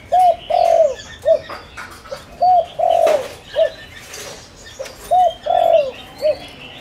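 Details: Decoy spotted dove calling to draw in wild doves: a run of low, hollow coo phrases, each short-long-short, repeated roughly every two and a half seconds, with soft twittering of small birds in the background.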